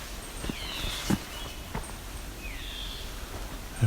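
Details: Red-eyed Vireo sings two short, slurred, whistled phrases about two seconds apart, the second rising, over footsteps and rustling leaves; a quiet morning in rocky forest near the Niagara Escarpment edge at Barrow Bay.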